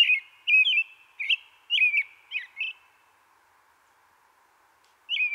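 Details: American Robin, eastern North America backyard, singing short, clear caroling cheerily-cheer-up whistled phrases, rising and falling, a quick run of five, a pause, then another phrase; faint background hum.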